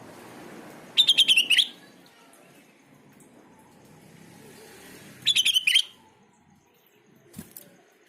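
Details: Sooty-headed bulbul song played as a lure for other bulbuls: two quick phrases of five or six bubbly whistled notes ending in a slurred upturn, about four seconds apart, with background murmur and a brief thump.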